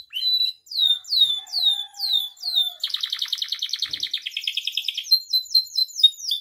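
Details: Caged canary in vigorous gacor full isian song, used as a tutor and provoking recording for canaries: a series of sweeping downslurred whistles, then a long rapid buzzy roll, shifting into a lower trill and back to quick slurred notes.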